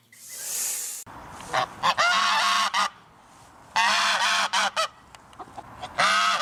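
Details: Geese giving loud, harsh, nasal honks in bursts of several overlapping calls, some with bending pitch, separated by short pauses; a second of steady hiss opens the recording and a low hum runs underneath.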